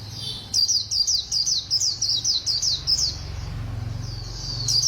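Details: White-eye in the quick Khuyên Líu song style, giving a brisk run of about ten high, zigzag whistled notes, then trailing off into a softer thin warble, with low rumbling background noise.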